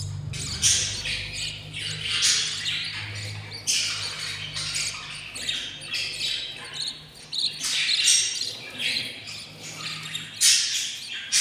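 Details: Hungry albino lovebird chicks, fifteen days after hatching from four eggs, beg with continuous harsh, hissing, raspy squawks rising and falling in waves, over a steady low electrical hum.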